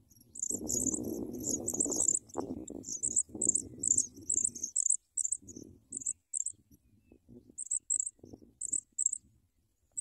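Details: Sprague's pipit chicks begging while an adult brings big worms to feed them: rapid, very high thin chirps in quick bursts, about two per second, over low rustling and scuffling at the nest.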